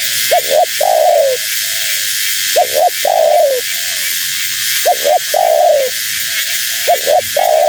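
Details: Female spotted dove calling to draw in wild doves. Repeated phrases about every two seconds: a quick double note, then a sustained, descending coo. Weaker echoing coos and a hissy background accompany it.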